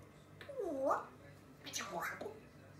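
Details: Grey parrot kept indoors as a pet, chattering to itself: two voiced, sweeping calls, the first dipping then rising, the second a sharp high rising-falling sweep, with a quiet room background.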